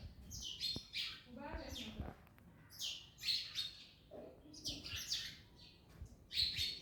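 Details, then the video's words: Parrots feeding on an orange, producing high, rasping squawks and chirps in short clusters with pauses, plus a few lower, voice-like sounds in between. "Parrots Eating Orange (Mian Mithu Eating)"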